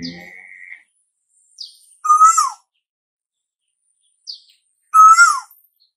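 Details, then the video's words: Asian koel welcoming summer with two loud whistled notes about three seconds apart, each rising then falling away; a steady higher whistle and a low buzzy sound open the recording, with short high chirps between the calls. "Tiếng chim tu hú gọi mùa hè đến"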